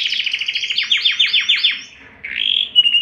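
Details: Canary song meant to excite males and females toward breeding: a run of descending sweeping notes repeated several times a second, a brief pause, then a rising buzzy phrase and steady whistle.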